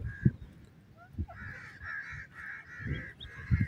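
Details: Grey francolin, known locally as koti teetar, playing on open ground, giving a run of harsh, nasal, evenly pitched notes strung closely together over two seconds, with soft low thumps and handling knocks at start and end.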